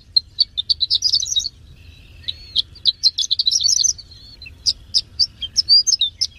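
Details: Song of a Horsfield's bush lark that placed third in a competition: quick runs of sharp chirps rising into dense twittering, a brief lull, then spaced clear notes and fast trills. A faint low hum sits underneath.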